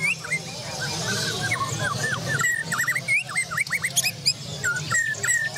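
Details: A Borneo-style white-rumped shama competing in a Borneo-class songbird contest sings rapid, varied whistled phrases of rising and falling notes, with crowd murmur and other birds in the background.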